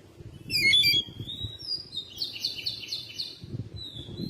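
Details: Home-kept Oriental magpie-robin singing in May: a bright, sliding whistled phrase, followed by a buzzy, rattling trill and a final whistle, with low background rumble.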